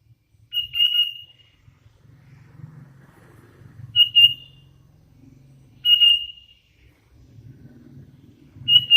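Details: Hand-reared Sooty-headed Bulbul repeating one clear whistled note roughly every two to three seconds, with a low rumbling background between calls.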